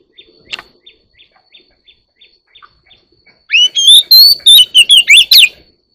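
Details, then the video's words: One-year-old Oriental magpie-robin; soft, evenly spaced ticking notes repeat about three per second before a loud song bursts in, with rising whistles and a fast cascade of chirps. "Chòe than 1 năm tuổi bộ đẹp mau mỏ"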